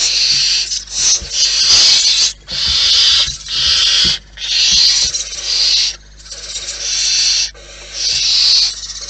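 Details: At a wild barn owl nest, loud wheezing hisses come roughly once a second, each a rough breathy burst lasting about a second, with small knocks and shuffling between them.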